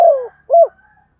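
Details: Decoy spotted dove with a local-style voice calling to lure wild doves: a falling hoarse coo followed by a short arched coo, clean and close with no other sounds.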